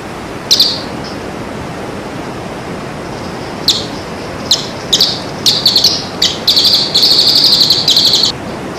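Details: Bird song used to train moulting and post-moult birds. Scattered sharp high chips and short buzzy bursts build into a steady rapid trill lasting over a second, against a low hissing background.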